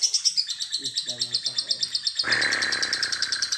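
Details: Lovebird in a fast ticking trill with ngetik sounds, used to set other lovebirds singing: a rhythmic high, clicking pulse continues throughout, joined by a steady rushing noise partway through.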